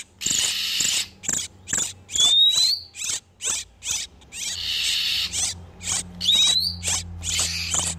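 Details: Male and female oriental magpie-robins in breeding condition, a trapping lure for wild birds: rasping, churring bursts in quick series with two rising whistles and a low background hum.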